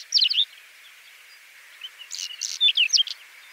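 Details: Whinchat giving a quick scratchy twitter, a pause with faint notes, then a longer phrase of mixed buzzy and whistled chirps.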